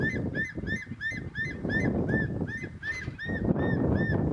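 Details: Juvenile martial eagle (Polemaetus bellicosus), very vocal, gives a begging call for its mother on an African safari drive: a rapid series of short, arched whistled notes, about three a second, over a steady low wind or engine rumble.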